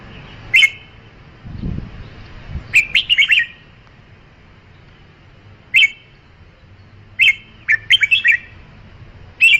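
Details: Red-whiskered bulbul song: short bursts of quick, bright warbled whistled notes, one lone note then clusters of three to five, separated by pauses of one to three seconds, with a faint low thump early on.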